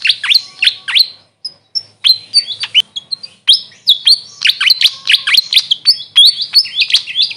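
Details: Grey fantail calling in a rural area of the Philippines: a rapid series of sharp, high chirps and short downward-swept squeaky notes in quick bursts, with brief pauses between phrases; no other sounds stand out.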